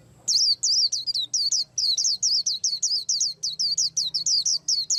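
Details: White-eye singing while preparing to moult: a fast, unbroken run of high, wavy, slurred whistled notes. About seventeen quick notes follow one another over nearly five seconds. The background is quiet.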